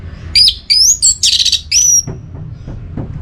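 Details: Orange-headed thrush calling a rival while in breeding condition: very high, thin whistles mixed with a scratchy buzzy burst and a final long whistle, then a few soft clicks.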